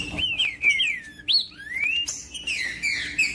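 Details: Green-winged saltator song for stimulating other saltators; few loud, pure whistles, long falling slurs and one rising sweep, clear and ringing with short silences between.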